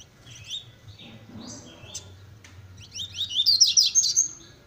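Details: Double-collared seedeater singing fast, velocista-style: scattered high chirps and a click early on, building to a loud rapid twittering flourish near the end over a low humming background.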